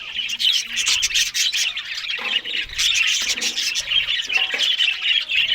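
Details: Australian budgies in the morning while eating green food; continuous busy chattering warble of several birds, scratchy squawks and chirps overlapping without pause.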